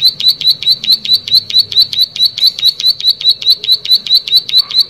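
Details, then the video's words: Vigorous plain prinia song: sharp, high, metallic ticks fired in a regular, rapid series of just over two per second, continuing without a break. "Prenjak Sawah Gacor"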